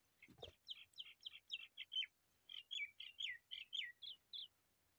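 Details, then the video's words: Single female quail, recorded for quail hunting, giving a quick series of about fifteen short, high, down-slurred chirps in a steady rhythm, fairly quiet, with a brief low thump at the start. "batrea ka shekar single female"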